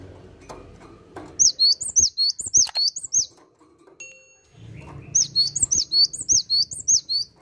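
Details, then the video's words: Cinereous tit delivering two bursts of bright, high two-note whistled phrases, repeated rapidly about nine times per burst, separated by a quiet pause with low background hum and a brief faint tone. "Gelatik Batu Asli Gacor"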